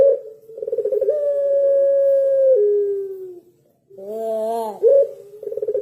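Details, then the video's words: A puter pelung dove holds a long coo that steps lower before fading. After a pause comes a harsh arched introductory note and then rapid pulsed cooing. "Suara Burung Puter Pelung"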